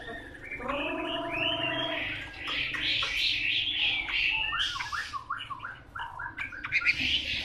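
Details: A wild-caught 'bổi' Chinese hwamei with prized tail-fanning traits, starting with full harmonic mellow notes, then a fast, varied run of rising and falling whistled phrases in the upper register.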